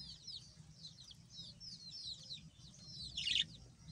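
Budgerigars chatter in a fast, continuous warble of high, scratchy chirps and squeaks, with a louder burst near the end over a faint low hum.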